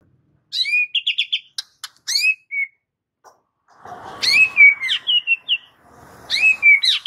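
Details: White-rumped shama song said to provoke rival males into singing: short bursts of clear whistled notes and quick rising-falling phrases separated by pauses, with faint background noise in the middle.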